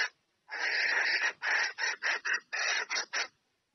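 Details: Female red junglefowl calling a male to come and mate: a long harsh cackling note followed by a series of short rasping pulses, with no other sounds.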